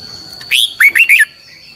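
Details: Red-whiskered bulbul singing a lure phrase for song training, in the long twisted double-voice style: a clear high opening note followed by three bouncy, slurred whistles, over a continuous thin electronic tone.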